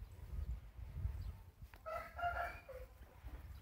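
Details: Golden-coloured Índio Gigante breeding rooster in Brazil giving a short crow: a brief harmonic, slightly wavering call lasting about a second midway through, over steady low rumbling background noise.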